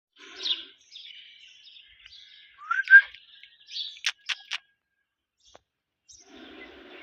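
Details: Rose-ringed parakeet chirping: scattered thin whistled and buzzy notes, a rising slurred whistle near three seconds, then three sharp loud clicks in quick succession, followed by quieter buzzy calls.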